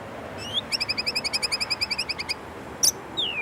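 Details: White-rumped shama (murai batu) from Indonesia singing its 'isian' filler song: a rising whistle, then a fast even trill of about eighteen clipped notes at two pitch levels, a sharp burst and a falling whistled slur.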